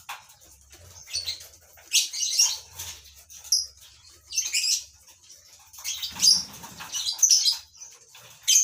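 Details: Lovebirds in a colony breeding enclosure give repeated shrill chattering bursts and squeaks at uneven intervals, with a brief low rustling sound midway.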